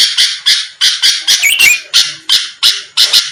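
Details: Song of a sooty-headed bulbul, used to goad rival birds: evenly spaced rasping bursts, about three per second, with a quick whistled flourish partway through.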